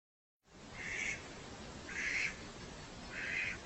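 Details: Male Mallard long call combined with short calls, recorded in nocturnal flight as a reference example: three broad harsh notes about one per second, with a faint upper band, over steady background hiss.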